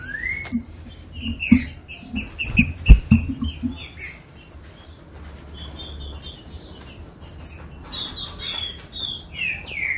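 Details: Green-winged saltator song used to fire up caged birds to sing. A strong rising whistle opens, followed by a busy stretch of quick high chirps and soft thuds. Clear slurred whistled phrases return near the end.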